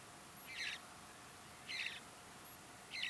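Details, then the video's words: Young Mountain bluebirds begging as a parent feeds them at Great Sand Dunes National Park, Colorado, early morning; three harsh, raspy bursts spaced about every 1.2 seconds against a soft, steady hiss. "Mountain Bluebird young"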